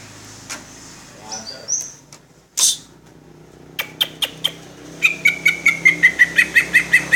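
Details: Cucak ijo (green leafbird) in tembakan cililin song style: scattered high chirps and a brief rustle, then clipped notes building into a fast, regular series of about twelve ringing chirps that drift slightly downward.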